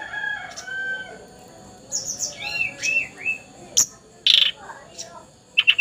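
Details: Juvenile hill blue flycatcher in spotted plumage already in full song: soft whistles, then a string of high curved whistled notes, sharp clicks and a closing quick trill.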